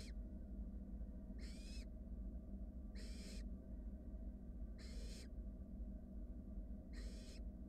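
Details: Nest-box recording of wild barn owl nestlings while a sibling swallows a rat; quieter hissing snores repeat about every one and a half seconds, five calls, each carrying a faint rising whistle, over steady low hum.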